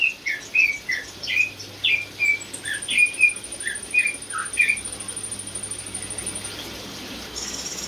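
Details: Caged greater green leafbird, a competition-winning songster, singing a lively series of short chirped and slurred whistled notes at mid-high pitch, about one every half second, with a steady high whine over the second half.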